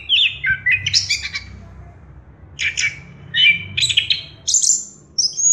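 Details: Orange-headed thrush song for stimulating birds to sing: bursts of varied high whistles and chattering notes separated by short pauses, phrases climbing higher toward the end, low hum underneath.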